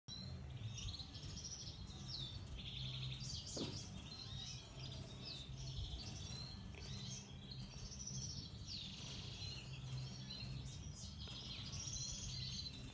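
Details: A male European goldfinch of the Major form sings a fast, tinkling twitter of bright chips and short trills over a steady low rumble of background hum.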